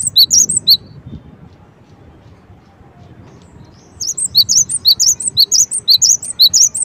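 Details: Brief opening burst of high chirps from a Cinereous tit, three seconds of quiet, then a longer, steady run of sharp alternating notes over faint low rumble.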